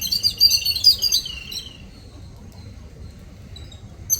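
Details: Little birds on a morning visit give a fast run of high, twittering chirps for over a second, then fall silent apart from one last note.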